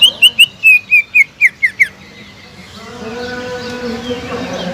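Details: Greater green leafbird singing as a lure recording to stir a leafbird that has stopped singing: a fast run of nine sharp, whistled notes dipping slightly in pitch, then only a low hum and background murmur.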